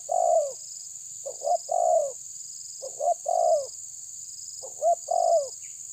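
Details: Spotted dove challenging a rival: loud mellow coo phrases, a short stutter followed by a long downward-sliding coo, three or four phrases in six seconds, against a steady shrill background drone.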